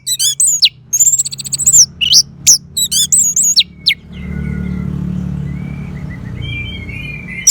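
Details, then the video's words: Orange-headed thrush (anis merah) therapy song: varied loud phrases of high, bending whistles and quick trills for about four seconds, then fading into low engine-like rumbling with faint thin whistles. "Suara ANIS MERAH"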